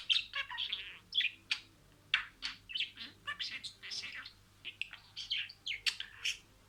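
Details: Talking budgerigar imitating words: steady, fast scratchy warbling made of short chirps and buzzy syllables, with only tiny gaps between them.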